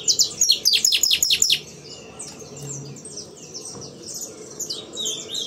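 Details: Aviary-kept saffron finch performing CT sistemático song, opening with a fast run of about eight sharp, high, downward-slurred notes, then falling back beneath a busy wash of distant bird chatter.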